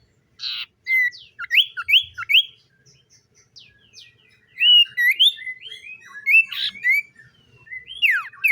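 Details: Common iora singing in the morning: a lively run of clear slurred whistles, rising and falling, mixed with a few short harsh buzzy bursts. The phrases come in quick clusters with brief pauses between them.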